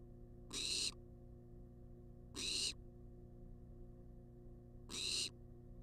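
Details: Wild barn owl demanding food on a nest box cam, producing rough, wheezy hisses lasting about half a second, spaced two to two and a half seconds apart, with low hum behind.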